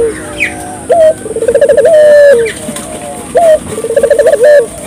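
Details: Spotted dove calling vigorously, each phrase a short rising note, a rapid stuttered series and a drawn-out low coo, repeated about every two seconds over quiet background chirps.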